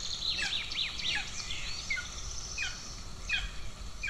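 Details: Hungry golden eagle chicks at an Estonian nest on 2 June 2024, with aggression between siblings; faint, thin, down-slurred squeals come in a quick uneven series, about eight in four seconds, over steady background hiss.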